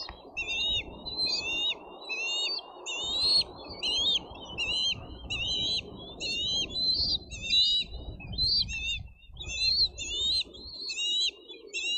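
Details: Bald eagle eaglets at a nest fighting over food after an adult delivers fish; rapid high, thin squealing calls repeated about once per second over a steady low rumble of wind.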